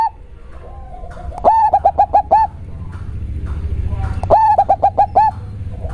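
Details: Two full cooing phrases from a local zebra dove with a strong bass voice, each a short rising lead-in followed by five or six rapid, evenly spaced bubbling coos, separated by a few seconds of low humming background.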